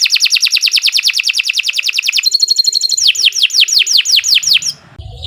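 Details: Canary in long continuous song for training other canaries, opening with a fast stream of descending whistles, shifting to a softer trill, then slower slurred whistles before stopping.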